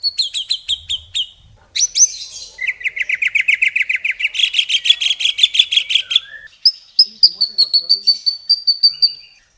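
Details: Murai batu, the white-rumped shama, delivering long bursts of song for masteran training: fast, evenly repeated high notes in stuttering runs, a steady chattering trill, then rapid bright repeated whistles.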